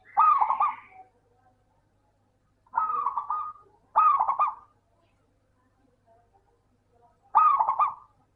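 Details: Singing local zebra dove, serving as a lure for lazy doves: four short rolling coo phrases of quick broken beats, the middle two close together, the others spaced by gaps of about two to three seconds.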